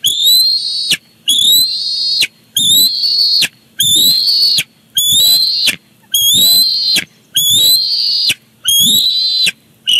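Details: Bald eagles at their Big Bear Lake nest on 18 July 2019, the father delivering a fish that the chick grabs: a steady series of eight piercing, slightly rising whistled squeals, each under a second, with short gaps and soft rustling.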